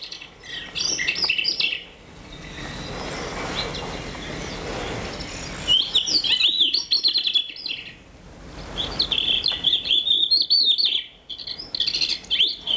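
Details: A Crested Lark, which sings from the top of a mound, gives bright, high whistled and twittering phrases of a few seconds each, broken by short pauses, with faint indoor room noise.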